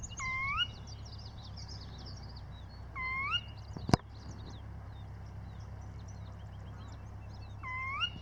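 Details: Wetland birdsong by the Bull River, Northwest Montana, with sedge wetland and willow hedge; a drawn-out, cat-like mewing call three times, three to four seconds apart, over a chorus of thin high chirps and flowing water.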